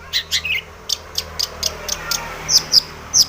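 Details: Sparse, sharp high notes from a long-tailed shrike, a few scattered chirps that end in three bright, piercing squeaks, with faint background hiss.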